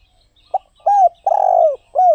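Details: One clear spotted dove phrase, low and mellow: a short lead-in note, an arched coo, a drawn-out purring coo that slides downward, and a closing curved coo.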